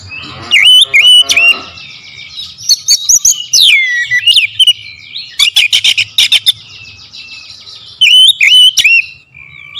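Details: Kacer (oriental magpie-robin) pouring out a powerful lure song: twisting whistles, a short harsh buzz, dense rapid chattering trills, and sharp ticking bursts, loud and clear throughout.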